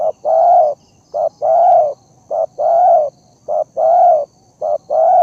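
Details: Spotted dove calling energetically to attract other birds: a short note followed by a long steady coo, repeated four times at an even pace of about one phrase every 1.2 seconds.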